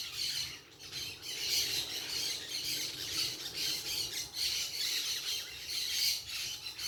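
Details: Noisy group of parakeets in a natural setting: a dense, continuous chorus of harsh, overlapping screeching squawks that swells and fades in waves every second or so, with no other clear sounds.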